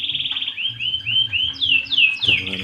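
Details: Domestic canary back to normal after tetelo, a nervous disease, beginning to sing vigorously again: high, clear trills and sweeping whistled notes, a fast rapid trill then a series of repeated downslurred phrases, ending in a brief quieter note.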